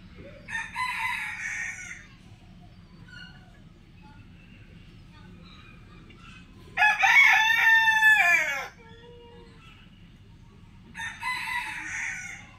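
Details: A Black Buff Orpington rooster crows loudly, a harsh drawn-out cock-a-doodle-doo, framed by two shorter crows from nearby roosters over a low steady hum.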